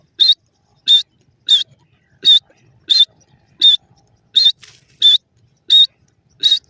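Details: Grey francolin, a pair calling, locally called teetar in Pakistan: sharp, high, clipped notes repeated evenly about once every 0.7 seconds against a quiet background.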